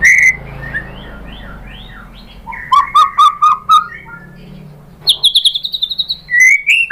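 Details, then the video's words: White-rumped shama song meant to provoke other birds into singing: soft varied whistles, then a clear run of lower repeated fluty notes, ending in a fast high ringing trill. "PANCINGAN MURAI BATU bikin NYAUT BUNYI GACOR NGEPLONG BONGKAR ISIAN"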